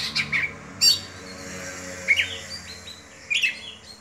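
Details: Oriental magpie-robin, a caged Kacer Dewa Air, singing 'buka-bukaan' with sparse high whistled and scratchy notes spaced by gaps of about a second, with faint background hum.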